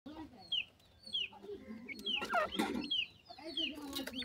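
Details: Francolin (teetar) chicks of a francolin family feeding in care, giving thin, high, downward-sliding peeps spaced about half a second apart, with brief clatter and rustling midway.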